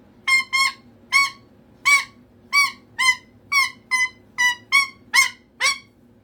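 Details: Attention-seeking indoor cockatoo repeating loud, slurred squawks about twice a second, each note dropping slightly in pitch, some uttered in quick pairs.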